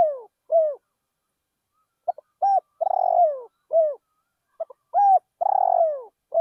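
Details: Spotted dove calling as a decoy at a rice field. The pattern repeats steadily: short stuttered notes, a long vibrating downward-curving coo, then a brief final coo. About two and a half phrases are heard, with no other sounds.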